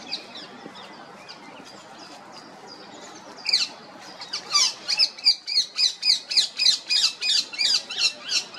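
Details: Female rose-ringed parakeet, quiet at first, then breaking into a rapid series of piercing, harsh squawks, roughly three per second, rhythmic and sustained over several seconds.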